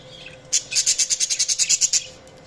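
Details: Budgie chirping as a fast, evenly spaced series of about fourteen bright, harsh high notes lasting roughly one and a half seconds, then quiet.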